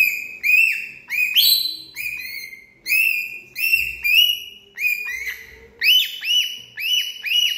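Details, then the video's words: A parrot keeps up steady harsh, arched calls, paired or tripled notes following one another almost continuously, some sliding upward, others dropping at the end. "Sound of parrot bird"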